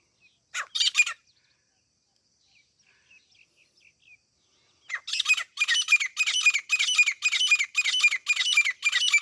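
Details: Grey francolin, known locally as desi teeter or grey partridge, in a recording used for hunting: one harsh burst, a pause, then a run of loud, rasping, broadband notes repeated about twice a second.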